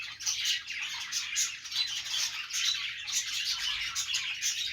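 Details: A flock of playing budgerigars keeps up a lively, scratchy warbling chatter with short squawks mixed in, continuous and fairly loud, with no other sounds.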